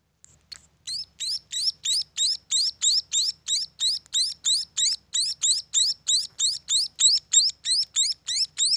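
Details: Munia chicks from a bird farm, calling in a fast, even series of high rising chirps, about three per second, each note a sharp upward-sweeping squeak, after a brief pause at the start.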